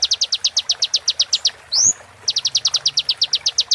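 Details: Kolibri ninja sunbird tutor song used while birds moult: a fast series of high clicking notes, one bright rising whistle in the middle, then the quick ticking series continues.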